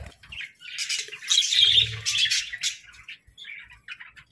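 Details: Budgerigars give a swelling run of squeaky, warbled chirps that peaks mid-way, then thins to scattered short chirps. A soft low hum sits beneath the loudest part.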